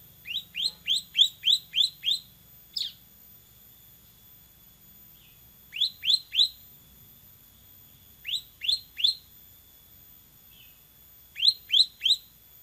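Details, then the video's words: Bar-winged prinia tutor recording for training songbirds, described as fairly active and loud: clustered runs of four to seven high, upslurred chips separated by pauses of several seconds, with occasional softer single notes between phrases. "MASTERAN CIBLEK SEMI GACOR VOLUME TEMBUS"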